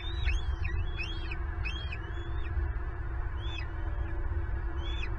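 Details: Bald eagle at a nest camera in Southwest Florida during an intruder's theft of a turtle brought for the eaglets: high piping whistles in quick clusters, then two spaced single notes, over constant deep wind-like rumble.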